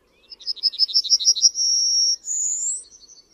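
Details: Song of the Yellowhammer, Emberiza citrinella: a run of rapid, rising chirps, then a long steady note, then a higher, slowly rising drawn-out tone. A few faint notes trail after.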